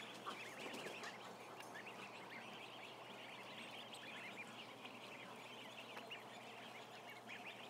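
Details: Constant massed peeping from some thousand ducklings in a barn, a busy high chatter of overlapping short notes at an even loudness throughout.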